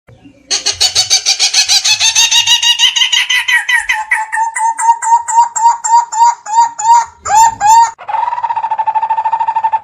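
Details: Coppersmith barbet calling: a fast, steady series of hollow, harsh-toned notes on one low pitch, about three per second, sounding distorted and buzzy with rich overtones, ending in a brief, denser, evenly pulsed stretch.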